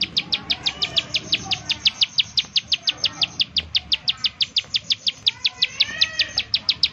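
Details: A bar-winged prinia repeats rapid, piercing high notes, nearly three per second, as a lure to make other prinias sing; faint quieter chirps from other birds sound in the background.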